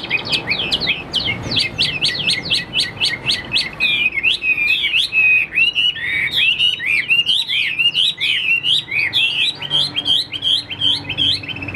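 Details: Caged Chinese hwamei from Vietnam delivers an energetic song of rapid, repeated slurred whistles, each note flicking up and down, continuing almost without break for over ten seconds.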